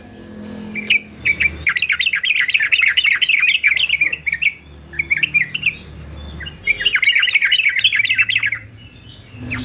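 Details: Fighter male yellow-vented bulbul used as anti-mute training song: long bouts of fast, bubbling chatter at about four notes per second, broken by short pauses, over a faint low background rumble.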